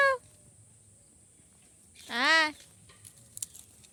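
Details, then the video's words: A molting pet ringneck parrot gives a single harsh, nasal squawk lasting about half a second, with a short clipped note at the start and faint clicks afterwards in a quiet room. "Parrot Chirping Sounds | Natural Parrot Sounds | Parrot Calling Sounds"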